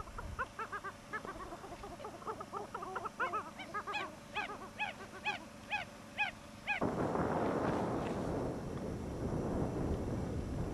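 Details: A Chilean flamingo, the only resident of its species at Carrizal Bajo wetland, Atacama, Chile, February 2009, gives nasal, goose-like honks about two a second for seven seconds, then a broad rush of wind or water noise takes over.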